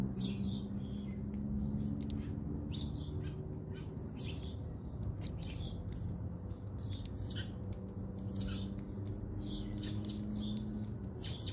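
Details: Several house sparrows at a feeder in South Africa, hopping and pecking at seed; continuous busy chattering of short chirps from many birds, dense and overlapping, above a low droning background.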